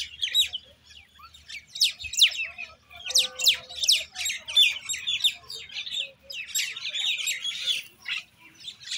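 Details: Common Indian myna producing a fast series of sharp, downslurred whistles and grating chatter that builds in the middle, then turns to warbling, gurgling notes near the end.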